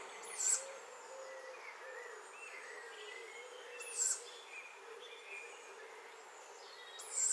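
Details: Tawny owlet in Nettleton, Lincolnshire, giving three hoarse, hissing screeches roughly every three and a half seconds, each brief and high-pitched, with soft distant birdsong murmuring between them.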